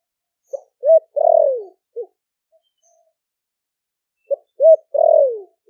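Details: Caged spotted dove from Ninh Thuận, Vietnam, four months after wild capture, singing the 'thổ đặc' (thổ sấm) voice to draw in wild doves; two identical four-note cooing phrases about three and a half seconds apart, each with a drawn-out falling middle note, otherwise quiet.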